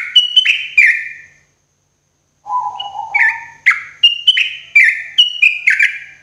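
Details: Morning song of a sooty-headed bulbul, used as therapy for caged birds: two rich whistled phrases split by a pause, then a low drawn-out note and a lively series of rising and falling slurred whistles.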